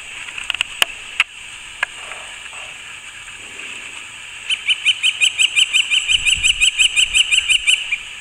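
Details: A male Northern flicker drums on a basketball hoop in a local park on 2 July 2017, claiming territory and/or attracting a mate: about twenty quick metallic ringing raps after scattered taps, with a low rumble near the end.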